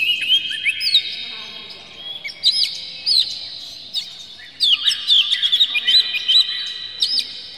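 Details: Oriental magpie-robin belting out a varied, emotional song with tail spread to provoke other magpie-robins: clear whistled slurs and sharp upward flicks, spaced apart, then a denser cluster of chirps near the end.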